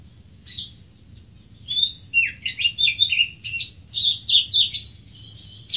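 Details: Greater green leafbird (Chloropsis sonnerati) singing: after a single early note, a lively run of varied, clear whistled phrases, some slurred up and down, others short and sharp, delivered in quick bursts over a quiet background.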